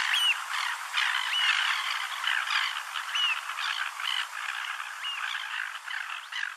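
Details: One of a pair of African oystercatchers on a beach at Port Alfred, Eastern Cape, South Africa, giving sharp, hooked piping whistles about once a second against a steady roar of surf.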